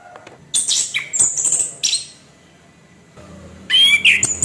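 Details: Kept orange-headed thrush giving kasaran, a harsh song used to provoke other birds: scratchy high bursts, short ticks and hissing notes in three clusters with quiet gaps between, some lower chirps near the end.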